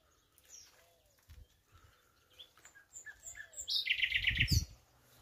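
Common nightingale song: scattered thin whistles and chirps, then a loud, rapid buzzy rattle near the end, with low thumps underneath.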